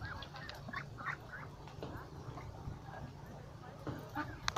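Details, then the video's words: A flock of ducks by a lake gives short, nasal, overlapping honking calls in quick, irregular bursts over a steady low rumble of background noise. "Con Vịt"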